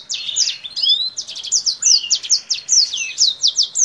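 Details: Lively Kingthroat song delivered with wings spread, ranging high and low and said to resemble a black-throated canary: quick chains of bright, sharply rising and falling whistled notes with brief dips between phrases.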